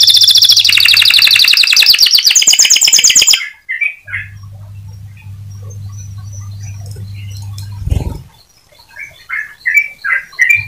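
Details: Atlantic canary singing to prompt other canaries to keep singing: a dense, fast, high trilled burst for three seconds, then a steady low hum with a few scattered short chirps and a thump.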